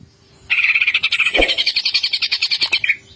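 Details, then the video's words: Greater green leafbird singing in the energetic ngentrok style: a rapid run of bright chattering pulses, about eight per second, held for over two seconds at a steady high pitch, with a brief low thump near the middle. "CUCAK IJO GACOR NGENTROK full isian"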